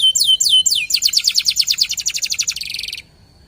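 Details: Local canary lure song: three sharp falling whistles, then a quick run of repeated high chirping notes that speeds up and fades out.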